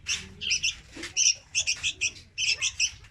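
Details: Young red-whiskered bulbul, kept as a trapping lure, gives quick groups of two or three bright chirps separated by short pauses, with a soft low hum behind.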